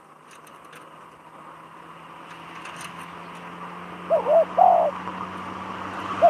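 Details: Spotted dove calling as a trapping decoy in Thailand: after several seconds of low humming background noise, a short run of hoarse coos, a wavering double note then a longer steady one.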